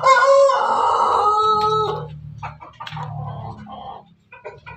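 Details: Pelung chicken crowing at night: a strong, harmonic crow held steady for nearly two seconds, then dropping away. A low hum follows, with scattered quieter clucks.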